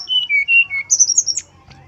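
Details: Male brown-chested jungle flycatcher song in a flute-like style: clear whistled notes stepping down in pitch, then a quick run of high, bright whistles.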